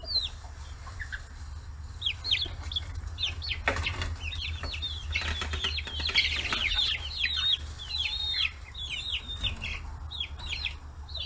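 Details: Young free-range chickens, forty days old, gathered at fish heads on a small farm in Hiroshima Prefecture, Japan; a busy stream of thin falling peeps, with bursts of rustling and pecking noise midway and a low background hum.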